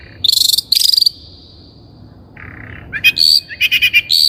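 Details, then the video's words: Long-tailed shrike lure recording for training birds: two rattling harsh bursts, a soft low buzz, then grating notes and rapid chattering chips. "THE LONG - TAILED SHRIKE SOUND"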